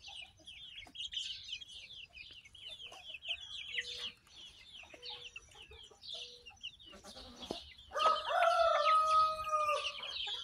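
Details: Young barnyard chicks, hatched on May 21, 2024, recorded June 22, 2024, keep up quick high downslurred peeps, joined by soft low clucks and a louder harmonic adult call in the last seconds.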